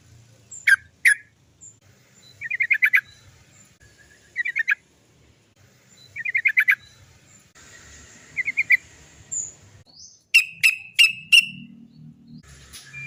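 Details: Sooty-headed bulbul in a 'cok cok cok' long-rolling lure song: repeated short bursts of four or five quick chattering notes separated by pauses, closing with sharp single notes over faint background hiss.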